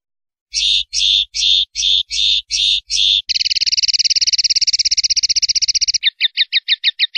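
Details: Common linnet singing 'limpio' clean song, from a 2019/2020 CD: seven rough, buzzy notes, then a long rapid rattling trill lasting nearly three seconds, finishing with a quick series of short chips over a faint low hum.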